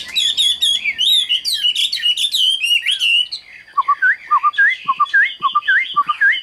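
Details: Caged Chinese hwamei singing in hot northern weather, said to sing less than on cool days and to open its beak after a spell of song: a dense, rich, varied warbling outburst, then loud, clear whistled notes repeated at short, uneven intervals.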